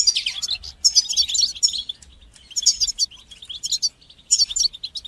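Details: European goldfinch with batbata and satsata song, for stimulating goldfinches and training young birds: loud, glittering twitter phrases about a second long, repeated four times with brief gaps.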